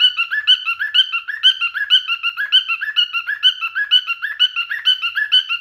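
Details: Male cockatiel in mating behaviour sings a steady, repeating pattern of harmonic whistled and warbling notes, about two per second, clear and uninterrupted.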